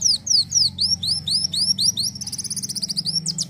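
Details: Kolibri wulung, Van Hasselt's sunbird, in energetic gacor isian song: loud, high, swooping down-slurred whistles about four per second, shifting into a rapid, thin, twittering trill, with a steady low hum underneath.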